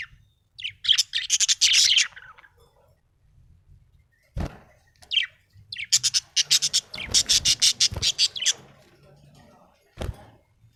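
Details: Happy pet budgerigar giving bursts of high scratchy warbling, then a long run of rapid pulsed chirps repeated about three per second, with a few sharp knocks or taps in between.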